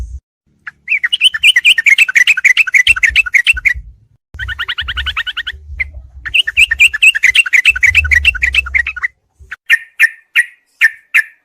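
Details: Sooty-headed bulbul song, a combined master recording used as night-time therapy for kept songbirds: bursts of rapid, chattering chirps repeated about three per second, separated by short pauses, with low thumping noise underneath.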